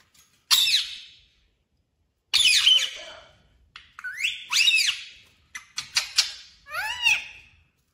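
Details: Parrot giving loud, harsh squawks and shrill whistled calls, some bending up and down in pitch, delivered in separate bursts with short pauses over about eight seconds, the last ones quickly repeated; no other clear sounds.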